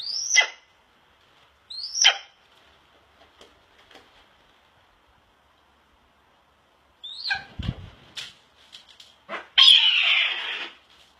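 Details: A captive male Harlan's red-tailed hawk, calling as he is about to eat, gives two hoarse, downslurred screams about two seconds apart, then rustling and a burst of rough noise.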